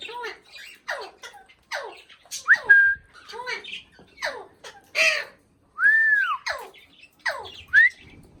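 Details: Indian ringneck parakeet talking in a fast string of descending, speech-like syllables. Clear upslurred and arched whistles are mixed in, with brief silences between the phrases.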